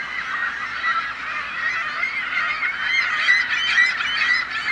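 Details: Seagulls calling together as a dense flock: many overlapping harsh, nasal calls blend into a steady, continuous chorus that grows louder and busier toward the end.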